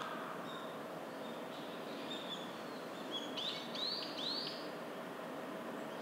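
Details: A Japanese pygmy woodpecker building its nest, heard alongside wood-tapping and excavating sounds, gives three short, high, arching buzzy notes in quick succession near the middle, over a steady hiss of outdoor background noise.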